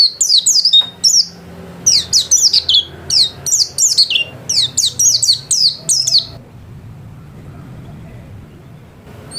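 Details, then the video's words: Caged white-eye kept at home, singing in a lively, sustained way: rapid bursts of high, sharply down-slurred whistled notes tumbling in quick series, broken by a short pause, then trailing off into quiet room hum. "Burung pleci gacor kelas rumahan"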